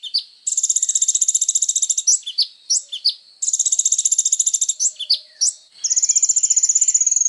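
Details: Training-material song of a kolibri ninja sunbird: long, very rapid metallic trills lasting more than a second each, broken by quick high slurred chips, delivered in a loud, nearly continuous stream.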